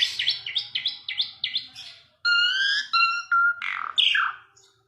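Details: Asian pied starling giving a run of repeated rising whistled notes, then long level whistles layered with buzzy harmonics and a harsh descending ending.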